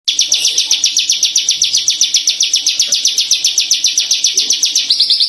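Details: Branjangan (Horsfield's bush lark), a tame, actively singing kept bird: a fast, steady run of high, buzzy chirps, about four per second, sustained through the whole passage with no other sounds.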